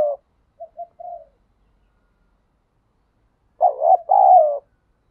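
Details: Spotted dove in the wild giving its coo: a trailing soft note, two brief quiet hoots and a longer one, silence, then a loud paired throaty coo.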